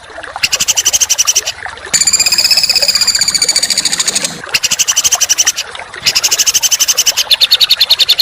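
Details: Songbird in a masteran training recording for contest birds, styled as rapid, harsh 'tembakan' bursts: dense buzzy high trills in long runs broken by short pauses, with steady background hiss.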